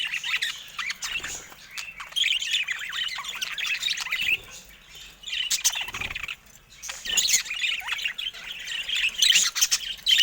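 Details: Budgerigars kept in a cage chatter in long warbled phrases of rapid squeaky chirps and rasping notes, with brief lulls, occasional knocks and clicks.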